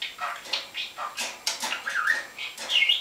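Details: A talking budgerigar (Melopsittacus undulatus) chatters in Danish in quick, raspy, speech-like syllables mixed with high chirps and squeaky whistles, a steady run of about a dozen bursts without pauses.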